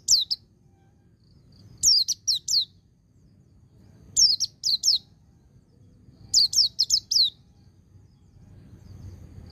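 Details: White-eye singing ngecir sambung ngalas for therapy of untrained birds: bursts of three to five rapid, shrill, descending chirps recurring about every two seconds, with faint low background rumble.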